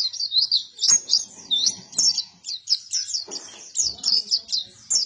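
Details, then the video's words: A buktoni white-eye sings vigorously, pouring out sharp, high chirps in quick succession, some notes sweeping downward, over soft muffled knocks and low rustling noise. "PLECI BUKTONI GACOR"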